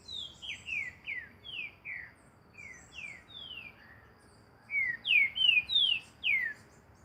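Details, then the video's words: Green-winged saltator in nature, training song: evenly spaced descending whistles, a soft middle stretch, then a louder rapid run of bright slurred notes, other birds faintly chirping high above. "Trinca ferro Barão treinamento na natureza"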